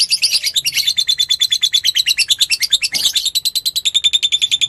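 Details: Singing fighter lovebird serving as a lure for another lovebird. A steady, fast stream of piercing, high chirps, roughly six per second, holds an even pitch throughout, with one brief harsh burst midway.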